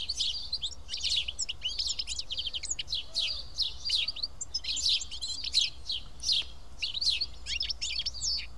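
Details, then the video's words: A group of seven house sparrows eating together at Karyotissa, Greece: continuous bright chirps and cheeps tumble over one another, arriving irregularly about every second, with quiet low rumble underneath. "Σπουργίτια (ήχος και εικόνα)"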